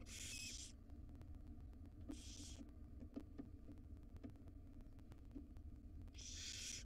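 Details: Five wild baby barn owls in a monitored nest box begging as their mother brings breakfast; three rasping hiss bursts spaced roughly three seconds apart, with soft clicks and a constant low electrical hum between them.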